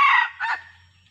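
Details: A wild male red junglefowl with yellow plumage, lured in and arriving with a female, gives a short, hoarse crow, loud and broken into two rough bursts, then fades into a low hum.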